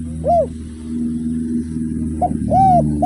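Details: Spotted dove (derkuku) singing actively in the 'without kuk' and 'kuk 1' styles: two hollow arched coos separated by a pause, over a steady low droning hum.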